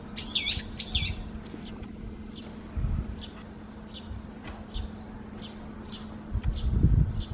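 A brown-eared bulbul gives two loud, shrill, looping squeals, then fainter short high notes about twice a second, over low rumbling wind noise.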